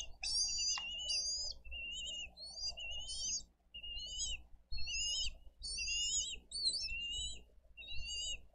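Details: Bald eagles at a live-streamed nest in Dade County, 22 April 2023, as the parents bring in fish and feed two eaglets: a fast series of high, thin whistled notes with chittering slurs, repeated in bursts, over a low background rumble.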